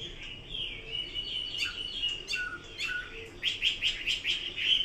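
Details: Chinese hwamei giving a mix of sustained whistles and sharp chips, ending in a quick series of bright, repeated notes.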